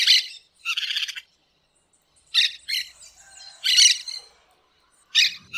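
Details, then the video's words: Wild green parakeets deliver clusters of rapid, harsh, chattering squawks, some in quick pairs, broken by short silences. "Periquito Cantando na Natureza"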